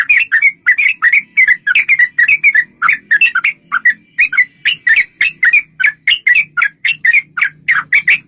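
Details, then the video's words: Sooty-headed bulbul giving a long, continuous fighting song as a lure: an unbroken stream of bubbly, warbled notes, steady and rhythmic, with faint low hum beneath. "trucukan gacor TARUNG ROPEL PANJANG pancingan trucukan agar bunyi jadikan burung trucuk gacor NYAUT"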